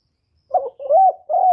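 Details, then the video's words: Spotted dove call, recorded clean to encourage caged doves to coo. Three deep coos run together closely: a short, warbling first note, a drawn-out smooth second, and a sustained third. "tiếng cu gáy giọng thổ thúc và gáy gọi"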